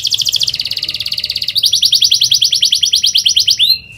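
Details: Young canaries' tutor song from an Atlantic canary: a continuous fast trill of repeated high notes, changing tour halfway to a slightly higher, sharper roll, ending on a rising flourish.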